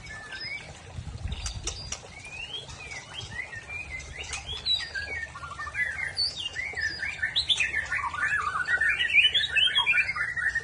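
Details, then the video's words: Aceh white-rumped shama in the rough "trek kasar" song style: varied whistled phrases and quick slurred notes that grow louder and denser toward the end, with soft low rumbling in the background. "Murai Aceh Trek Kasar"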